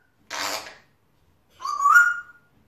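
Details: A male African grey parrot, kept as a pet, chattering to himself: a short breathy, hissing burst, a pause of about a second, then a rising whistled note that levels off and fades.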